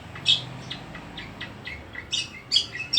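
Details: Long-tailed shrike singing actively: scattered short high chirps and twittery notes, sparse at first, then quickening into clustered bursts toward the end, over a faint low hum.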